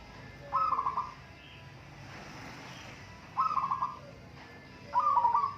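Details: Local zebra dove singing in a contest, giving three bursts of rolling, trilled cooing phrases around one kilohertz, each under a second long and spaced roughly every two to three seconds, over a quiet background hum.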